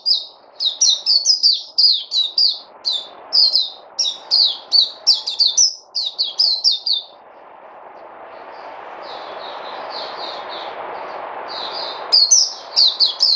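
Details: ['A bird sings a long run of rapid, high, slurred chirps for several seconds. Low rumbling noise with faint distant notes follows, then loud chirping starts again.']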